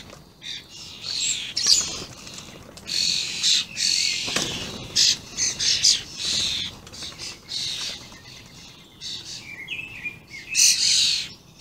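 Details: Juvenile and adult common starlings, recorded 28/05/16, in a busy chorus of overlapping rasping screeches and softer chatter, with a brief chirp and a low thud in the middle.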